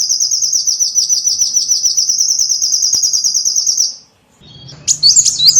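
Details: Lure sound for attracting small birds: a sustained, rapid, high-pitched trill of about four seconds, a brief silence, then several sharp, squeaky chirps.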